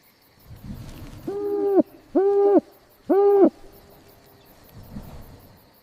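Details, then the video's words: Soft forest owl hoots: three deep, even, hollow notes in quick succession, the first longest, over a low rustling background and faint rhythmic high insect ticking. "Owl hooting softly in a forest"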